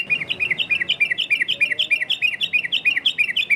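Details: Yellow-vented bulbul giving a fast ropel variasi run, meant to make other bulbuls answer: rapid, evenly spaced bubbly chirps repeating roughly three times a second, high and bright, with faint background noise.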